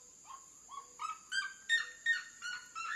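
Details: Red-legged seriema song by water: a slow start of a few rising yelps, then louder, harsher barking notes about three per second, over a constant high-pitched hiss.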